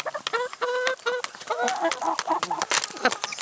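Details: A flock eating salad and vegetables produces rapid, ringing harmonic clucks in a quick series, then rougher overlapping calls mixed with busy pecking and scratching clicks.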